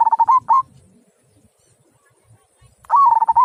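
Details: Local zebra dove with a big, clear 'kung' voice: the tail of one phrase of pulsed coos ending in an upswept note, a long pause, then a new phrase of trilled, rippling cooing notes.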